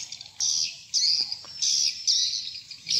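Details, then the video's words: Swiftlet farming lure sound, style "sp rambut lmb": four long buzzy, hissing trills, each about a third of a second, separated by brief quiet gaps, with a few faint clicks and otherwise clean background. "Respon burung walet Suara walet sp rambut lmb Original"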